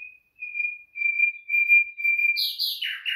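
Common nightingale singing: a run of long, pure whistled notes on one pitch, then a sudden burst of harsh, buzzy, high chattering phrases.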